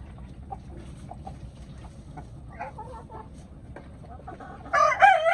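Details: Curious hens give soft, scattered clucks over a low background rumble, ending in a sudden loud, harsh squawk in the last half second.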